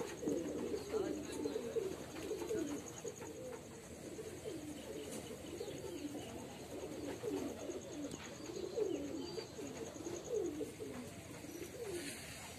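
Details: Male pigeon from a household loft producing a long run of low, gurgling coos, phrases overlapping in a steady burble, brief quiet gaps midway, soft background hum throughout.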